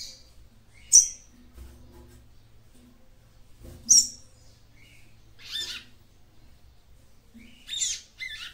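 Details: A female seedeater's call, used to excite a male, gives sharp, high chips about three seconds apart, followed by buzzier, rasping notes, over a faint low hum.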